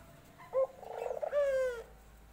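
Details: Dove calling in a short phrase: a brief low hoot, a wavering murmur, then a longer drawn-out coo with rich harmonics that falls slightly at the end; quiet background.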